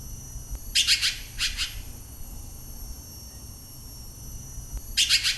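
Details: Red-billed blue magpie at Nam Nao National Park, Thailand, giving three bursts of harsh, scratchy, high chattering notes, two close together and one after a pause, over a quiet low rumble.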